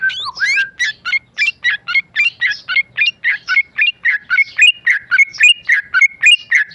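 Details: Tame male sooty-headed bulbul, a caged songbird, singing in a rapid run of short whistled and chattery notes around mid pitch, about one note every second, each phrase sharp and slurred, with a faint low hum beneath.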